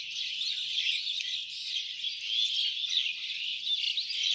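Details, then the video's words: Birds making noise: many overlapping high chirps, squeaks and short whistled notes form a constant chattering chorus, swelling slightly in places. "making some noise by birds"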